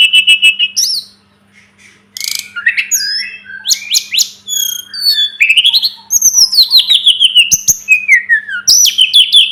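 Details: Rich, nearly continuous Sunda robin song for tutoring cage birds: a varied mix of sharp chips, trills and long descending whistled slurs, with one short pause near the start. A faint low hum is in the background.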